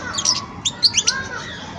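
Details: Juvenile European goldfinch during song learning, giving a brief handful of high, clipped twitter notes over a low background hum.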